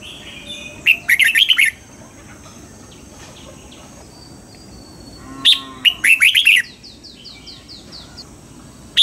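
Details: Red-whiskered bulbul trained to sing at dawn with wild-type double notes. Two phrases of rapid, liquid whistles, then a faint series of soft descending notes and one final sharp note.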